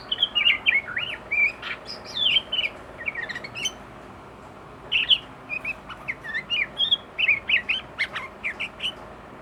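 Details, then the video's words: Agitated sooty-headed bulbul pouring out its learned song material; varied whistled and warbled notes, rising and falling, in rapid phrases with a short pause midway, over a steady low background hum. "Burung kutilang emosi muntahin isian"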